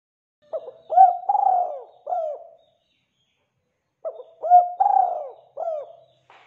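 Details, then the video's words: Frequently calling spotted dove, recorded to make wild doves respond: two full coo phrases about three and a half seconds apart, each a short lead note, a long vibrating descending coo and a crisp closing coo, then a new phrase beginning. "Suara Tekukur Gacor Buat Pancingan"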